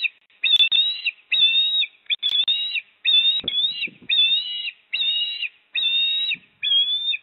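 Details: Port Lincoln osprey nest on 26 September 2024, father arriving with a fish while the mother feeds. A long series of about nine steady whistled notes, some broken into short pieces, with brief clicks and knocks in between.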